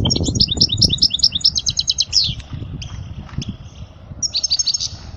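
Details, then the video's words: European goldfinch song aimed at young birds: a rapid series of repeated liquid chirps rolling into a trill, a lull with soft notes, then another chirping burst, over low rumbling. "أجمل تغريدة لطائر الحسون لتعليم الفراخ الصغار"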